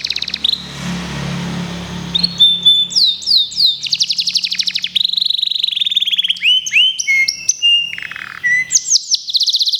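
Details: Local canary being prepared for a singing contest: after a brief opening note over a low hum, a long run of rapid, bright trills and rolling phrases follows, shifting pitch between fast chattering series and sweeping notes.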